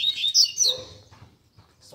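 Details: A burst of high, sharp whistled notes and rapid twitters from caged Double-collared Seedeaters singing together among bird keepers to warm up a competition bird, fading into near quiet.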